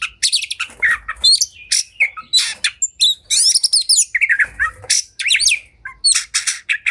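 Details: Caged oriental magpie-robin (kacer) in fighting, highly agitated mood sings a dense, energetic medley of squawks, rising and falling whistles and fast buzzy trills, nearly continuous with brief gaps.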